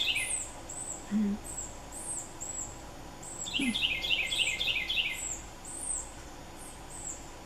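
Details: Red-bellied woodpecker fledglings in woods beg while their parents feed them, with quick, high chirps repeated several times a second and a brief burst of busier notes over low, faint background noise.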